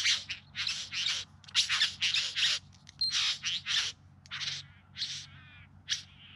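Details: Bowerbird singing during courtship display, filmed in September 2020 in the Yarra Valley outside Melbourne; a run of harsh, rasping, hissy bursts, some short and some drawn out, with uneven gaps and a few thin whistled notes.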